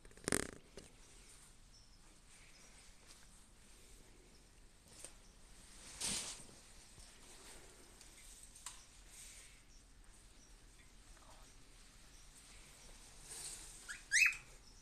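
Cockatiel hissing in short, breathy bursts of airy noise, separated by long quiet gaps.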